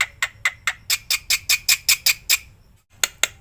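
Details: Black-winged myna song full of varied phrases, used to train other mynas: rough, harsh squawks repeated about every quarter second, a short break, then more squawks.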